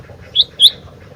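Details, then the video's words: Sooty-headed bulbul, called gentilang, singing energetically: two short bright whistled notes about a quarter second apart over a steady low hum. "Burung Gentilang Gacor"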